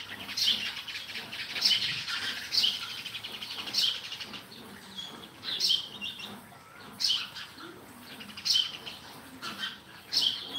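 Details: Sparrow chirps ringing out at irregular intervals of one to two seconds, each a short bright high note, over continuous quieter twittering from a flock.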